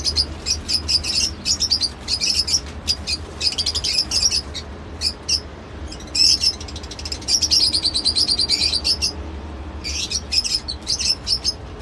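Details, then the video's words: Lovebird chattering almost nonstop with rapid, piercing high chirps run together in dense trains, with only brief gaps and a faint low hum underneath. "love bird sounds"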